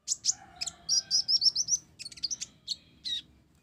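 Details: Energetic song of a blorok-type olive-backed sunbird carrying house-sparrow-like filler notes: thin, high chirps and short trilled whistles strung together quickly, with a brief pause before a few final sharp notes.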